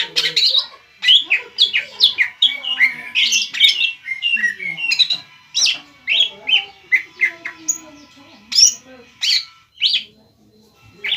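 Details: A greater green leafbird, kept as an untrained bird, sings a dense, rapid stream of sharp chirps, slurred whistles and squawky notes, meant to anger an opposing leafbird into calling back.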